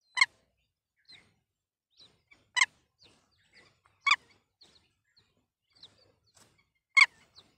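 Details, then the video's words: Red-wattled lapwing mother sitting on eggs near a school at Mount Abu, calling its chick: four loud, sharp, strident notes at uneven intervals of about two to three seconds, with faint high peeps and chirps in between. "Red Wattled Lapwing & Baby"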